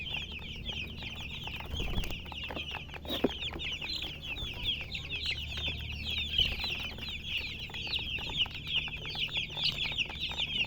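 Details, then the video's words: Steady, busy chirping of colour chickens, countless short high squeaks falling in pitch, with a couple of sharp knocks early on. "silly chicken chirping sounds with murgi hen color chicken"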